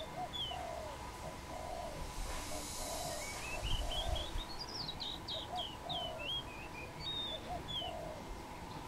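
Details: Wild dove perched on a tamarind branch in Cambodia, giving soft low coos repeated every second or so, while another bird sings a rising, then falling series of high whistled trills over steady background hiss.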